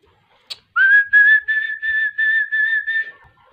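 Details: A chukar partridge, said to be ready for a fight, gives a run of about seven clear, slightly nasal notes, each rising briefly then holding, about three per second, after a single sharp click.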